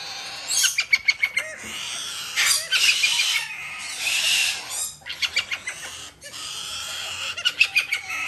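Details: Hand-fed Major Mitchell's cockatoo chicks, one female and one male from a domestic breeder in Japan, beg with loud grating squawks and quick rhythmic pulsing sounds of feeding, in irregular bursts.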